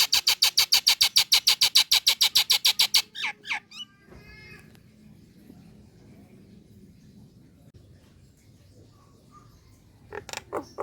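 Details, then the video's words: Female Nias hill myna calling to a male: a fast, even run of sharp, high notes for three seconds, then a few scattered squeaks, near silence, and a brief burst of harsh notes at the end. "JALAK NIAS BETINA MEMANGGIL JANTAN"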